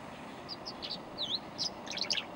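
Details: Tree swallow, one of a nesting pair perched on a hummingbird feeder hanger in a yard a few feet from a person: about eight liquid, high chirps over two seconds, including one quick down-and-up swoop, with a faint steady hiss behind.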